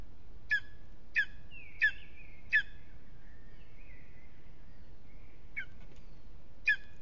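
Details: In Aizkuja, Latvia, a lesser spotted eagle is restless on its aspen nest one evening, uttering six piercing yelps: four in quick succession, then two more after a gap. Soft whistling from other birds sounds behind.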